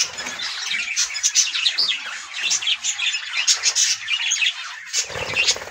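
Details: Budgerigars chatter continuously on a morning, with rapid warbling, chirps and scratchy squawks.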